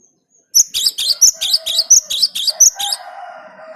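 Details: Lure recording of a cinereous tit: around ten shrill, high, rapidly repeated notes, followed by a softer, lower sustained tone.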